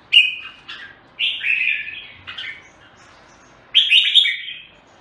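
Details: Singapore red-whiskered bulbul (jambul) singing separate short phrases: a clear whistled note, slurred chirpy warbles, a quiet gap, then a final loud burst of bright notes.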